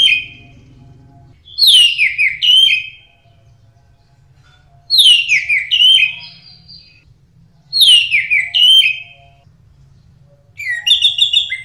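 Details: Orange-headed thrush, an Indonesian songbird, singing actively in a tutor recording: loud, rich phrases of descending whistles and rapid twittering notes about every three seconds, over a steady low hum.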